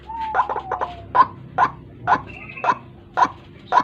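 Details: White-breasted waterhen lure call, played in the morning to trap and attract birds; loud short harsh notes repeated about every half second, with a thin whistled tone early on and a brief higher bird call in between.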